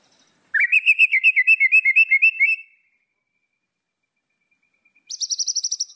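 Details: White-rumped shama song used to provoke rivals: a fast, bubbling trill that rises slightly and lasts two seconds, a long silence, then a short, very high, rapid trill.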